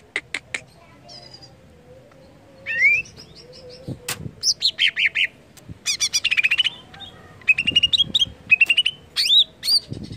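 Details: Greater green leafbird (cucak ijo) song played to prompt other leafbirds to sing: a long varied sequence of sharp clicks, rising whistles, buzzy trills and rapid chattered phrases, with a faint steady hum beneath.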